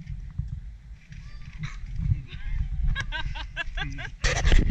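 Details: Gulls being fed at Wolmido, Incheon, Korea, give a quick burst of harsh, nasal calls near the end, over a heavy low engine rumble and wind, with people talking nearby.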